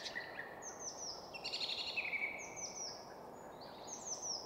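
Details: Song thrush in full song on a spruce top in woodland at Väsby sjöäng, Stockholm suburbs, Sweden; high, clear downslurred whistles repeated in short series, with a lower buzzy note in the middle and steady distant traffic hum beneath.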